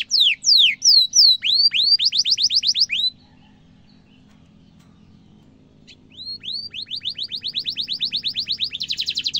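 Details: Canary used for training young and adult canaries, singing long 'ngeroll' rolls: steep falling whistles quickening into a rapid trill, about three seconds of silence, then rising notes building into a fast, steady roll.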